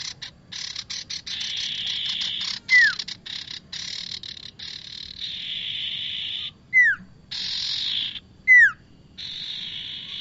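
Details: Bar-winged prinia calls for luring birds into traps: continuous grating buzzes cut by short gaps, with three clear down-slurred whistles at irregular intervals.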